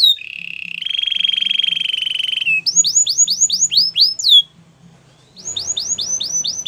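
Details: Canary singing for training, a buzzy sustained trill followed by rapid rising-then-falling chirps repeated in series, a short silence, and another run of chirps.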